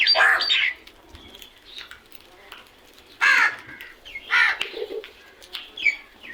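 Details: Crows making loud noise: harsh, raspy caws in short bursts, a long one at the start, then, after a quiet stretch, two more about a second apart, with fainter thin chirping notes in between.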